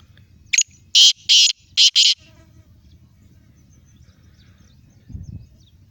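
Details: Black francolin in Sindh, Pakistan, giving a loud, rasping call of one short note and then harsh paired bursts, followed by quiet low background noise and a faint thump near the end.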